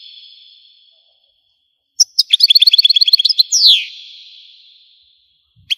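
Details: Algerian goldfinch song: after a faint fading tail and a silence, a rapid run of about fourteen evenly repeated bright notes, then a long descending slur that slowly fades away.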